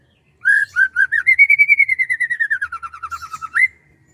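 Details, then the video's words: Morning in the rice fields: a bird delivers a loud rapid trill of whistled notes, about six per second, rising slightly then gradually falling in pitch and ending with an upswept note. "SUASANA PAGI DI SAWAH SAMBIL DENGERIN KICAUAN BURUNG"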